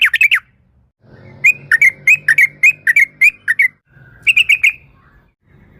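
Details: Sooty-headed bulbul song used as a lure, bright whistled notes with rapid up-down strokes, repeated in quick runs of about ten, with low background hum.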